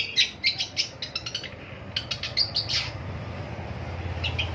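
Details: Long-tailed shrike heard in the morning, giving a rapid series of short scratchy chattering notes over steady low background hum, fading into softer calls near the end.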